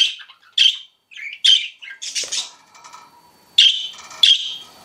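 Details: Bright, high chirps from pet budgies, clear squeaky notes separated by short pauses, with a brief burst of harsher chatter midway.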